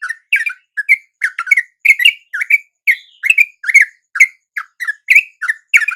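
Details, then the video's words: A dawn response by wild yellow-vented bulbuls to a lure: irregular paired and single clipped, bubbly notes, some with a brief higher whistle between, pouring out at a lively rate. "RATA-RATA TRUCUK macet LANGSUNG NYAMBER dan IKUT BUNYI dengan pikat TRUCUK shubuh ini"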